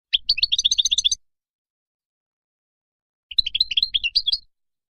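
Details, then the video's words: European goldfinch delivering wild song for young birds to learn; two short bursts of fast liquid twittering, each about a second, with a two-second pause between, no other sounds. "تغريد الخلوي أو البري لطائر الحسون"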